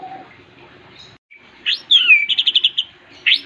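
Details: Champion white-rumped shama in a brief burst of song after a quiet start: a sweeping whistled slur, then a fast series of about six bright, clipped notes, and a final pair of sharp high notes.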